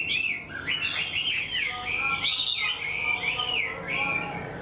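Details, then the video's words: Chinese hwamei, wild-caught and caged, readily sings a structured song like a tame bird. Loud, clear whistles swing up and down in looping phrases, with repeated notes that bend, over faint background hum. "Họa mi mộc mau mỏ hót bài bản như chim thuần"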